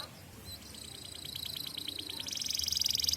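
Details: Canary song used as a lure to teach young canaries: a quiet series of rapid high chirps repeated about four times a second, then a louder buzzy trill toward the end, over faint background noise.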